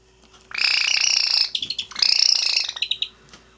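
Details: Java sparrow (Padda oryzivora) that is angry or in a bad mood, recorded 14 January 2017, gives two bursts of harsh chattering, each about a second long, with rapid, high, scratchy notes in quiet surroundings.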